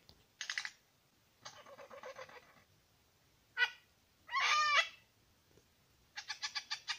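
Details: Two male Superb Lyrebirds at Lookout Point, New England National Park. Harsh, buzzy, rasping bursts alternate with brief pauses, including a drawn-out nasal squawk and a closing string of rapid clipped notes.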